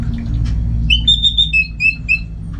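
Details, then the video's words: Kept Orange-headed thrush in Singaraja, North Bali, trained at home for contests, gives a rapid run of pure whistled notes stepping between two pitches, against a steady electrical-sounding hum. "Super Kicauan ANIS MERAH Gacor"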